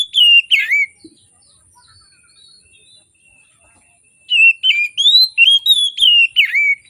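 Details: Oriental magpie-robin singing in the morning as a lure for reluctant singers: a loud whistled phrase with a swooping slur, a quiet gap of about three seconds, then a lively run of varied whistles.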